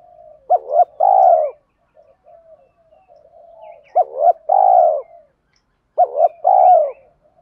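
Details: Spotted dove call for training birds, male and female voices; three phrases, each two quick clipped coos and a longer, falling coo, about three seconds apart, with soft low cooing between.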